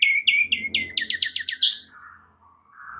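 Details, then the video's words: 'Isian' filler song of a White-rumped shama, used to stimulate a caged bird that has stopped singing: about ten quick, sharp, descending notes in a row, then a soft, lower drawn-out whistle. "Murai Batu FULL BONGKAR ISIAN"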